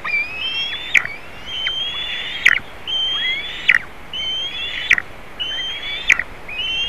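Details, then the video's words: Latvian nest of the white-tailed eagle, 27 June 2019, where a juvenile has come to the eaglets. Level whistled calls, each under a second long, repeat about every second and a quarter. Short dry ticks mark the end of each note. "Jūras ērglis (White tailed eagle) - Juvenile WTE visits eaglets"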